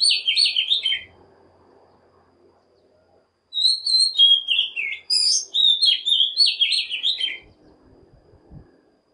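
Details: Lure song of an Oriental magpie-robin, played to call wild birds and train young ones: a warbled phrase, a three-second quiet gap with faint hiss, then a long, fast sequence of whistled and buzzy notes, ending with low thumps.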